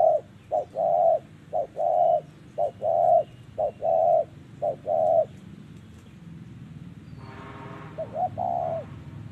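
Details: Spotted dove singing in the 'giọng thổ' style at a Vietnamese bird trap in 2023: six or so paired coos, a brief note then a longer hollow one, repeated steadily, then a rustling noise burst and one fainter closing phrase.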